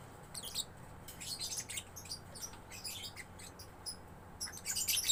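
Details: Young lovebird in gacor style, soft scattered high squeaks and short twittering bursts, closing with a louder shrill chatter; background hiss and hum.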